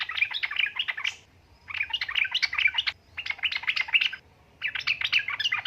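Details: Sooty-headed bulbul female calling for a male, pouring out dense, lively chirping phrases of about a second or more, four bursts split by short silences, a low hum underneath.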